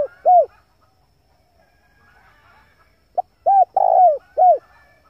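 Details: Lure recording of a male spotted dove. The last arched coo of one phrase is followed by a quiet gap, then a complete phrase: a brief note, an arched coo, a long vibrating coo, and a falling final coo.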